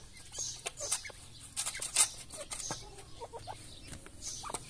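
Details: A grey partridge mother feeds her chicks. Quiet, low, slurred clucks and paired short notes are heard amid frequent sharp clicks, pecking and rustle, with a steady low background hum.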